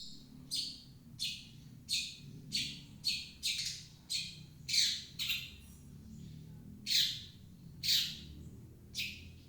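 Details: Long-tailed shrike, known locally as cendet, recorded as a lure to get a shrike reluctant to sing to start calling: harsh, grating squawks repeated at uneven intervals, about a dozen in ten seconds, over a low background hum.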